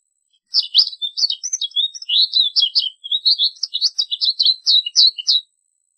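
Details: American goldfinch singing a long run of quick, high twittering phrases. Slurred whistles mix with clipped buzzy notes, with brief pauses between bursts, lasting about five seconds against silence.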